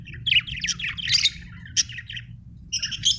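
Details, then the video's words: Budgerigar chirping: quick bursts of high, buzzy warbled notes in short runs, a bright sharp chirp near the middle and a scratchy flurry at the end, over a low steady hum. "Australian beautiful birds sound 😍 budgie chirping sound 🥰"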